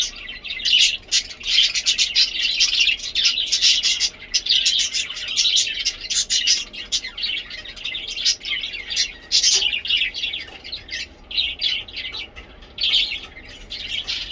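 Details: Budgerigars (Melopsittacus undulatus) chirping happily, keeping up a busy stream of bright, scratchy chirps and warbles, overlapping with hardly a pause.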